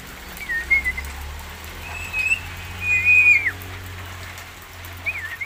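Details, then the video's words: Javan myna giving various calls: a few clear whistled notes, some sliding or bending in pitch, spaced irregularly over a few seconds against a steady background hiss. "Suaranya macam2 burung jalak kebo"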